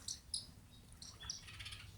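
A bush lark gives a few brief, high, thin chirps, scattered unevenly over two seconds, over a low rumble of lake water.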